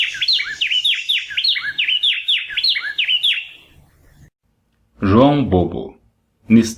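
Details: Buff-breasted Wren of the subspecies rufiventris, from the Brazilian Cerrado: a loud, fast run of slurred whistled notes, about four each second for three seconds, then fading. A man's voice speaks afterward.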